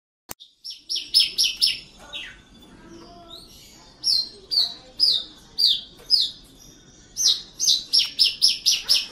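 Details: Caged Horsfield's bush lark from a keeper's collection in Java, singing vigorously: bursts of short, high, sharp chirps, several per second, grouped in rapid runs with brief pauses between them, over a faint low background hum.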